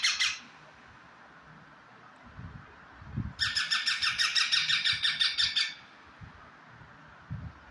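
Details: Pet parrot said to talk, heard giving a brief harsh note, then a quick series of about twelve raspy, evenly spaced squawks, close to three a second, with soft low thumps in the room.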